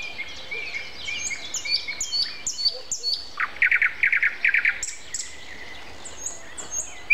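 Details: Common nightingale in morning song, April 29 at 7:55, in a busy dawn chorus of other birds; high slurred whistles build into a loud burst of rapidly repeated buzzy pulses.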